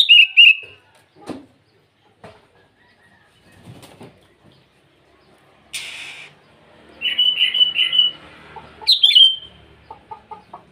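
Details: Sooty-headed bulbul (kutilang) singing lively in the morning to call rivals: short bubbly whistled phrases open, then a run of burry warbled notes and a sharp rising note near the end, separated by soft clicks and fluttering sounds.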